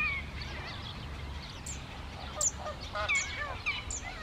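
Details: Evening flock of wild greater flamingos in the Camargue, giving dense overlapping goose-like honks, grunts and brief bent notes, several sharp louder calls standing out from the crowd, against a constant low background rumble.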